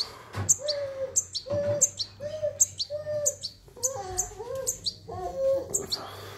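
A young European goldfinch gives thin, high chirps about every two-thirds of a second, over lower tonal sounds and a person's voice nearby.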